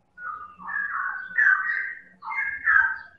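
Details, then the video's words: Medan white-rumped shama, a persistently singing champion bird, used as a lure to make other birds sing: two smooth, continuous warbled whistles that waver and rise, each about a second long, with a faint low hum beneath. "Pancingan Burung Murai Batu Medan Super Gacor Elit Juara"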